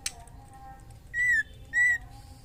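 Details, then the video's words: Female white-rumped shama in breeding condition calling a male, giving two matched flat whistles, each slightly falling at the end, about half a second apart after a faint click. "SUARA MURAI BETINA MEMANGGIL JANTAN AGAR CEPAT GACOR DAN BIRAHI"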